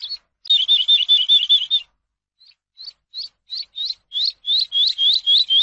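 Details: Tutor song of the Eurasian skylark for captive birds: a quick, dense warbling trill, then silence, then a series of upward-flicking whistled notes repeated roughly every third of a second and growing louder.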